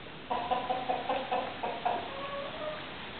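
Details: Hens from a mixed group of chickens and roosters utter a steady series of about eight clipped, nasal clucks, trailing off into a longer, drawn-out lower note; faint room hum beneath.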